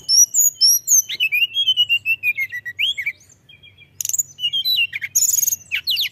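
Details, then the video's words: Mountain tailorbird in vigorous song: high falling whistles, then a long descending chain of slurred notes, a short pause, and a renewed burst of squeaky, sharp phrases. "tledekan gunung gacor"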